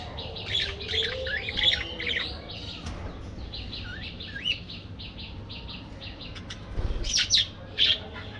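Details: Several budgerigars chattering in an aviary: bursts of high chirps and short rising whistles, busiest at the start and near the end, with a quieter middle stretch above a low background rumble.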